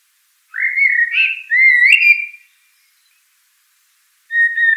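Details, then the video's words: Common blackbird singing: two rich, fluty warbled phrases of about a second each, run almost together, then a silent pause before a further whistled phrase begins. "تغريدة طائر الشحرور black bird"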